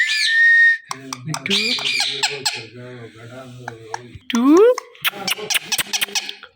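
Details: Talkative pet Indian ringneck green parrot making loud sounds indoors: a long high whistle, then voice-like muttering and babble, a sweeping rising squawk and sharp clicks, with speech nearby.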